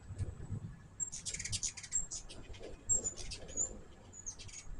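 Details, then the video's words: High, thin, rapid chip notes and short squeaks from hummingbirds at a feeder arrive in bursts after the first second, fairly loud against a soft low-pitched background rumble. "My first hummingbird video with natural sound."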